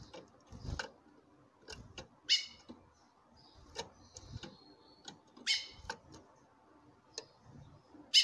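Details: Female chestnut-bellied seed finch calling frequently to attract a male, who answers by singing: sharp, buzzy, harmonic call notes repeated roughly every three seconds, with faint whistled notes and scattered clicks and knocks in between.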